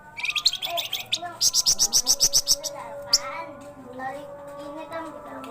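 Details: Flamboyan bird, also called wergan jawa, described as singing energetically day and night. Scattered high chirps open into a quick burst of about ten sharp, evenly spaced high notes, then a lone chirp, over a steady low humming background.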